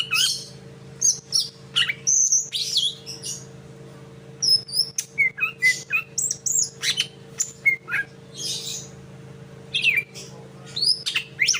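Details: Greater green leafbird practising the song of the sikatan londo: a busy string of high, thin whistles and sharp chips, some notes sliding down, delivered in quick bursts every second or so with a faint steady hum behind.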